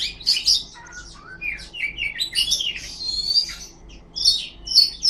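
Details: Oriental magpie-robin, tail-fanning, singing a rapid jumble of high chirps, trills and squeaky notes in bursts, with a steady low hum underneath.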